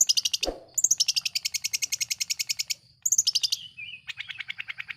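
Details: Long-tailed shrike lure song meant to provoke rival shrikes, a dense run of rapid high ticking notes in long rattling trills, broken by a brief pause and a short downslurred whistle.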